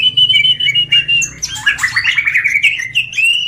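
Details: Lure song of a greater green leafbird: a busy, continuous run of high whistles, chirps and mimicked-sounding slurred notes, bright and rapid, with scarcely a break.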